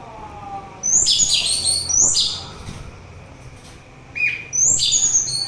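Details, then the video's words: Orange-headed thrush singing, a recording meant to soothe and to attract birds. Rich phrases of high piercing whistles drop into rolling buzzy notes, then a lone lower whistle after a pause before another flourish. "Begitu Syahdu Suara Anis Merah"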